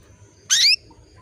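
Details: Single short, high, rising chirp from a female canary calling the male to bring on breeding readiness, loud and clean above a low background hum.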